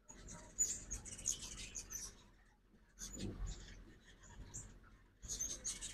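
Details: Ruby-throated hummingbirds at a backyard feeder in Oxford, Mississippi, on a fall migration morning: thin, very high chips in short clusters, three bursts separated by quiet gaps, with faint low background rumble.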